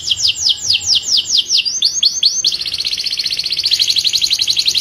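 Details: Male canary singing to stimulate other canaries to sing and prepare for mating: a run of fast, sweeping notes falling in pitch, about three per second, then a dense, high buzzy trill to the end.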